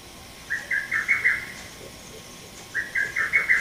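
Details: Male lesser cuckoo recorded on 30 May 2017, giving its sharp, rapid phrase of about six clipped, mid-pitched notes, repeated twice, over a steady hiss of background noise.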